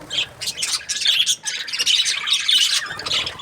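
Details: Budgerigars in a happy mood chirp in rapid scratchy bursts, squawky and high, with short whistled notes and one brief dip in the middle.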